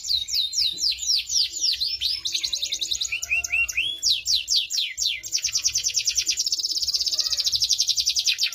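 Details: Singing canary with cengkok mewah style: quick series of high swept notes, changing phrases, and a long fast rolling trill in the second half, all high-pitched and continuous.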